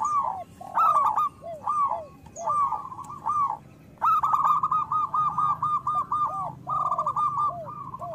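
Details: Zebra doves of local stock in full song, used to coax other doves into singing; short arched falling coos lead into long fast rattling trills, phrases repeating about every second with overlapping voices.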